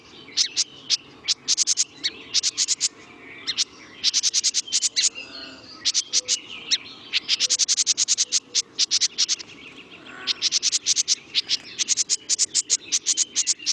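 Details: House Wren giving its angry, threatening annoyance call, a harsh, rapid chatter of dry buzzy notes in bursts of about a second, repeated over and over with short gaps.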